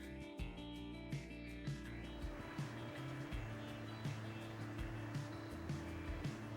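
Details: Rhythmic background music with a steady beat and sustained tones plays throughout, with no animal calls.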